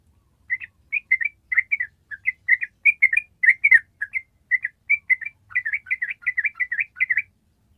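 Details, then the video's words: Yellow-vented bulbul singing its long trilled ropel style, a recording used as a tutor to train other birds: a run of quick, bright chirping phrases clustered together, briefly pausing, then building into denser rapid bursts toward the end. "SUARA TRUCUK ROPEL PANJANG"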